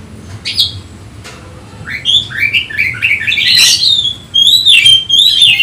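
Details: Oriental magpie-robin singing while agitated and seeking a rival: after a quiet start with a few faint notes, a burst of varied high whistles and sliding chirps, some harsh notes, with short pauses between phrases.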